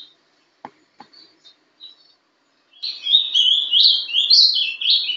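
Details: Young ultramarine grosbeak (Passerina brissonii) in Paraná song style; after scattered soft clicks and faint notes, a rich warbled phrase of rising and falling whistles begins and runs to the end.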